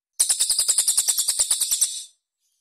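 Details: Cililin (Velvet-fronted Nuthatch) master song for training competition birds, rough tight-spaced bursts: a dense, high chattering run of about fifteen harsh notes in under two seconds, ending abruptly.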